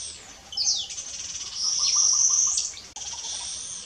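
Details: A Klaas's cuckoo calls in Gambia on 13 April 2018: thin, high whistled notes with quick downward sweeps and a sustained piercing tone, over faint softer chirping lower down.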